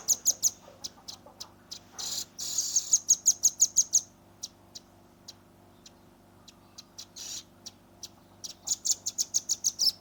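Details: A young red-billed nuthatch delivers 'tembakan' song: clipped runs of piercing high ticks interrupted by short noisy buzzes, scattered single notes, then another quick ticking series at the end. Recorded with a Redmi 10.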